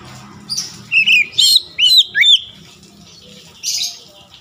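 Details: Oriental magpie-robin singing to provoke other magpie-robins: a quick series of five or six bright, slurred whistles and chips over about 1.5 seconds, then a quiet pause and a soft hissy note.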